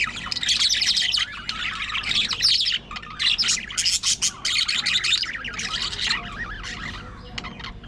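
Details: Aviary colony of budgerigars in nonstop warbling chatter: dense, scratchy twitters and chirps from many birds at once, loud and continuous, fading slightly toward the end.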